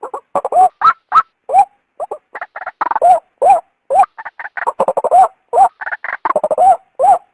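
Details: Female white-breasted waterhen calling, used to lure the male out of its habitat: rapid series of short, harsh, nasal croaking notes, some with rising-falling inflections, delivered in irregular bursts without a pause.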